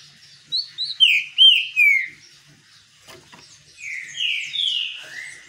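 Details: While sunbathing, a green-winged saltator gives rising introductory whistles that lead into loud, drawn-out slurred notes dropping in pitch. A second, softer phrase of descending whistles follows after a brief click.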